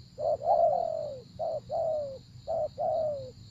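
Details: Spotted dove delivering three coo phrases, each a short opening note and a long gently falling coo, over a constant high hum.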